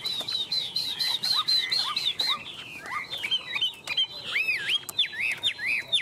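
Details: On a hand, a tame Chinese hwamei sings energetically: a quick series of repeated high whistled notes, then lower upswept calls and looping, deeply curved whistles.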